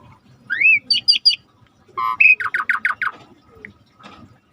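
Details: Asian pied starling singing energetically as a training tutor: a rising whistle and three quick high chirps, then a rapid run of about seven harsh falling notes, ending in faint calls.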